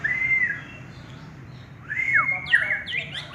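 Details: Champion contest white-rumped shama singing: a clear whistled note held near steady and then dropping, a quiet pause, then a burst of rising and falling whistles climbing into higher sharp notes, over low background hum.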